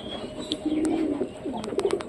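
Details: Domestic pigeon calling repeatedly in a home loft in West Bengal, India: low, soft, rolling coos, drawn out and then broken into short pulses, with a few faint clicks and light background noise.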